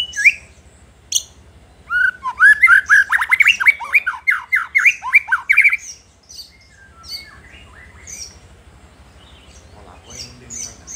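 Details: White-rumped shama song meant to provoke rival shamas: a few sharp calls, then a fast, loud stream of downslurred whistles lasting several seconds, trailing into scattered high chips.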